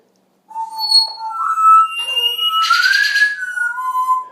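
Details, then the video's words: Pet parrot indoors at night, after the lights go out. It gives clear whistled tones that hold steady, then slide upward and down. A short buzzy, rasping burst breaks in midway, and another sustained whistle follows it. "Parrot noises after lights out"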